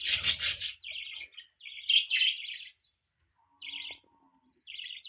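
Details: Budgerigars chirping. Bursts of bright, scratchy warbling chatter last about a second each and are separated by brief pauses. A short, low knock is heard midway.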